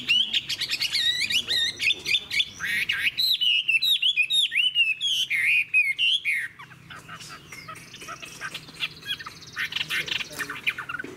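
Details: Chinese hwamei, a mature wild-caught bird with a fig-leaf tail and long body, delivering fast, varied whistled song: looping slurred notes and quick repeated phrases, turning into dense scratchy chatter near the end.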